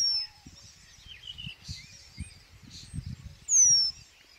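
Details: Eurasian penduline tit in spring in willows and riverside meadows of the Vistula delta, Żuławy Wiślane, Poland, gives thin, high, drawn-out descending whistles, one brief and one loud and long, with softer chirps of other birds and faint low thumps.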